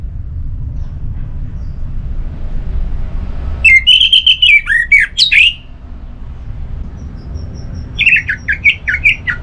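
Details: Loud orange-headed thrush song used to stimulate other thrushes, especially males, into singing, North Bali: two bursts of rich whistled warbling with sharp upward and downward slurs, separated by a pause, against a low rumble.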